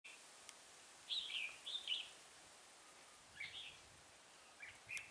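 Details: Red-whiskered bulbul singing as a decoy during trapping on a cold 12-degree day, 24 November 2017: short warbled phrases, a quick pair then single brief notes near the end, faint against a quiet hiss.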